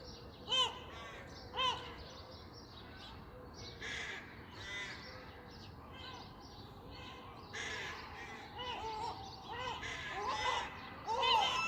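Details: On a clear Sunday morning, harsh, hoarse crow caws come in short bursts every second or two, with other chirping birds, possibly gulls and tits, calling in the background.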